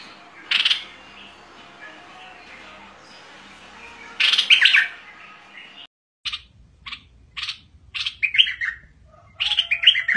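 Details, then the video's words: Bulbul in the fierce style, starting with two spaced bursts of warbling notes, then after a brief break a faster run of short sharp chirps and sliding whistles. "นกดอกแตง สายดุ!! Burung merbah lekir bay hoach thom Gacor Bahanan"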